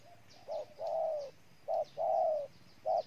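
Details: Spotted dove from Ninh Thuận, Vietnam, cooing in a low, mellow voice: short coos alternate with longer drawn-out, slightly falling coos, about five notes in three seconds, with little background noise.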